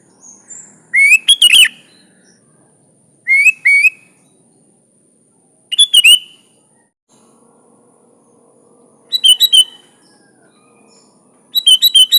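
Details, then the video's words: Lively Sooty-headed bulbul song with natural fillers, recorded as tutor material for other bulbuls: short bubbly, chattering phrases of sliding whistled notes come at uneven gaps, five bursts in twelve seconds, with a faint low hum between them. "Suara Burung Kutilang Gacor full isian alam"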